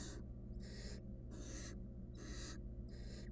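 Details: Wild barn owl nestling in a nest box, trying alone to eat a stolen rodent; five strong, raspy hisses in quick succession, each around a third of a second, over a noticeable droning hum.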